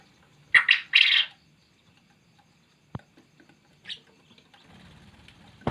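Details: Vigorously calling male quail gives two harsh, buzzy bursts close together near the start. Later come scattered clicks, a thud, a softer high note and a low rumble.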